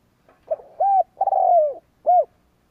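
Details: Spotted dove used as a decoy to goad rivals, sounding one coo phrase of a soft opening note, a rounded coo, a long sliding coo that drops in pitch and a clipped closing coo.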